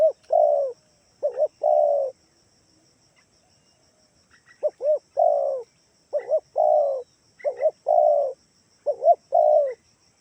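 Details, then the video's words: Spotted dove, Kalimantan type, calling to lure other doves into answering: a string of about six three-part coos, two short hoots and a longer falling note each, with a pause near the start and faint chirps. "gunakan suara tekukur ini || di jamin pasti yg di rumah ikutan bunyi"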